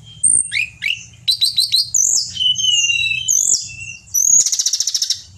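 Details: Pied bushchat from Indonesia singing loudly and continuously: high whistled notes, quick stuttered chirps and long sliding whistles, ending in a fast buzzy rattle.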